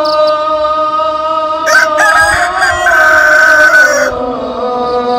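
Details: At dawn a rooster crows through the call to prayer, a harsh crow rising into a drawn-out, level note lasting over two seconds, while a sustained chanting voice continues beneath it.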